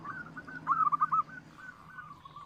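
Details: Local zebra dove, loud-voiced, kept as a lure to draw other doves into singing; one brief burst of quick, rolling cooing notes repeated rapidly, over a low steady hum.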